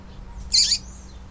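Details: Female yellow-bellied seedeater call, used to excite and rouse males: a single loud, harsh, high-pitched chip lasting about a quarter second over a faint steady low hum.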